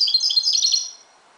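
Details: Moroccan goldfinch singing at dawn: a quick, high twittering phrase of bright chirps and trills lasting under a second, fading into quiet.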